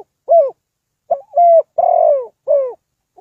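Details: Decoy spotted dove kept for bird trapping, calling a close, loud phrase of low hooting coos: one short note, a gap, then a doubled note, a long falling coo and another falling note.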